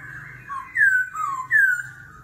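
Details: Laughingthrush singing in a wild-forest voice, a competitive song that keeps changing voice: loud clear whistled phrases slurring down then up, three strong notes in about two seconds over a faint low hum.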